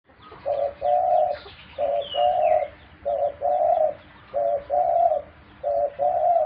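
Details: A pet dove gives soft, low coos, each phrase a short note and a longer hum, repeated about once a second; a brief thin chirp is heard near the start.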